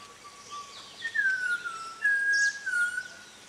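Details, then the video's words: Unidentified bird heard at five in the morning near a small hotel in Munnar, India: long pure whistled notes, a steady tone then higher notes sliding slowly downward, wavering like an off-key human whistle, with faint background birds. "What Strange Bird Whistle is this?"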